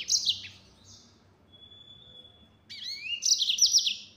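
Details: Yellow-fronted canary singing 'nembak' full-speed style: a short trilled burst, a long thin steady whistle, then a rising sweep leading into a rapid, buzzy high trill.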